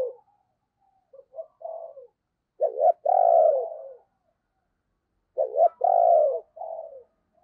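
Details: Spotted dove decoy with a deep, thunder-like voice, calling to lure wild doves. Low, rounded coos come in bursts of two or three notes, the middle note long and swelling, separated by pauses of several seconds.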